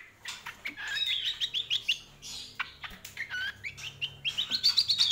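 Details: Greater green leafbird in full song, delivering a busy medley of high chirps, whistled upslurs and buzzy notes, closing with a quick rising trill, with faint low background hum.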